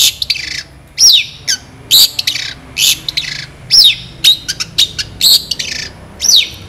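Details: Long-tailed shrike in full, vigorous song, a master recording for tutoring other birds: loud, sharp, harsh shrieking notes with falling whistled slurs, delivered in bursts roughly once a second over a quiet hum.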